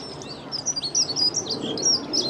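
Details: Dunnock singing close by beside the Long Water: a quick, high, jingling warble of thin squeaky notes running on for nearly two seconds, with faint low background rumble.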